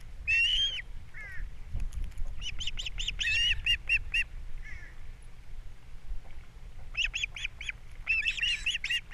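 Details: Nesting ospreys on Captiva, filmed by a nest camera on the morning of April 3, 2022, with fish brought in and chicks fed: repeated shrill whistled cheeps in quick runs, interspersed with short slurred notes.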